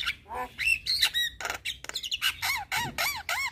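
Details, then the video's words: Javan myna chattering song used as a tutor for young mynas: harsh squawks mixed with rising and falling whistled arcs, repeated about three times per second. "MAsteran Burung Jalak Muda Agar Cepat Gacor Mompa Dengan Ocehan Jalak kebo Mata Putih"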